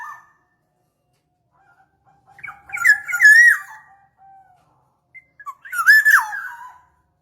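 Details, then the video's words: Black-naped oriole lure sound for attracting birds: two loud, rasping, nasal phrases with wavering pitch and strong overtones, about three seconds apart. A quiet, steady, low whistle runs beneath the first phrase. "Pikat burung kepondang emas"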